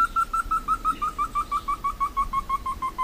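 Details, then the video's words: A Slaty Bristlefront (entufado, Merulaxis ater), a bird endemic to Brazil, sings a fast series of clear whistled notes, about six per second, stepping slowly downward in pitch. "O Canto do ENTUFADO (Merulaxis Ater) Bird Song - Slaty Bristlefront"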